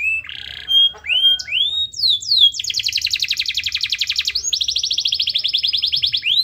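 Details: Canary singing hard to set off silent canaries: a buzzy note and scattered rising whistles lead into two long, fast, rolling trills of high pulses, the second steadier and slightly higher.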